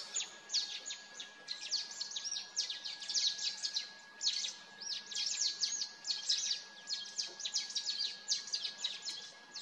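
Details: Mountain Bulbul pair at a sanctuary near Mussoorie, Uttarakhand, in the Himalayas: busy runs of short, sharp, high chirps in rapid overlapping bursts, almost without pause across the stretch, over faint steady background hiss.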